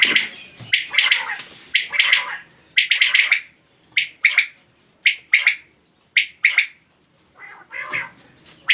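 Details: Repeated calls of a common quail, recorded in 2020. Rapid ringing groups of two or three sharp notes come in a steady series, close together at first and then spaced about a second apart, ending in a rougher phrase.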